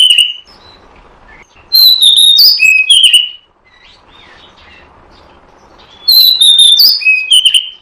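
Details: Oriental magpie-robin lure sound for trapping: whistled notes at the start, then two loud bursts of rich, varied whistles that rise and fall, with a long near-silent gap between them.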